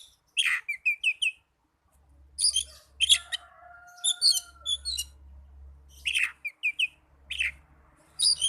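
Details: Oriental magpie-robin singing, played to rouse caged birds that are slow to sing: sharp downslurred whistles and chattering note clusters in bursts, with a faint long steady tone in the middle and a low hum.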